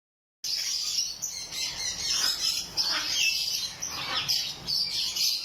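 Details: A pair of blue monk parakeets, a captive colour variety, giving continuous high, harsh chattering chirps and squawks, dense and overlapping throughout with only brief pauses.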